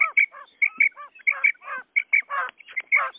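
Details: Common quail calls for hunting lure, male and female: paired piping notes alternating with grating, buzzy bursts, in a brisk, uneven rhythm.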